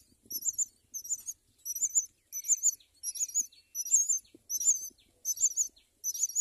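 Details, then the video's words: Myna nest with four young: shrill, buzzy squeaks repeat in steady pulses roughly every three quarters of a second, high-pitched and raspy, with little else heard. "Myna birds, raises four children"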